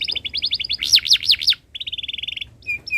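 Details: Canary singing a tutor song for young birds learning to sing, long chirping style: quick repeated high chirps, then loud looping rise-and-fall notes, a flat rattling trill, and two short clear whistles at the end.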